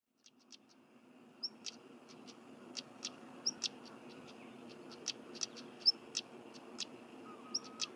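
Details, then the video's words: Stonechat in Cornwall, England: short high whistled notes alternate with sharp, dry clicking ticks, scattered irregularly through the clip over a steady low rumbling background hum. "Stonechat Bird Chirping and Singing"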